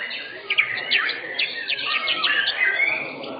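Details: Blorok-type white-rumped shama, the first-place bird of session 7 in the shama class at an Indonesian singing-contest arena, giving rapid rising whistles and sharp slurred notes in quick succession over a murmur of background noise.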